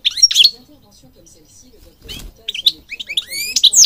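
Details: European goldfinch song for training birds: a few sharp twittering chirps, a long pause with soft rustling, then scattered upslurred whistles and buzzy notes growing livelier toward the end.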